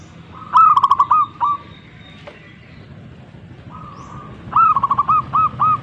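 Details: Two bursts of zebra dove cooing with a quiet gap between them: fast, bubbly rolled notes followed by a few longer, fuller coos, against a low rumbling background.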